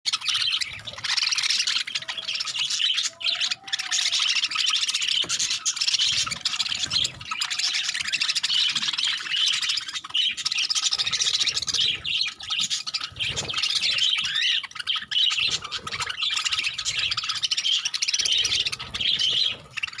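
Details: Pet budgies eating palak (spinach) keep up a constant high, scratchy chatter of chirps and warbles.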